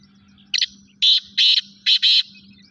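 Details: Black francolin, called Kala Teetar, giving a loud harsh call of about five grating notes grouped into short bursts, the first brief, then longer, the last two joined, over a steady low hum.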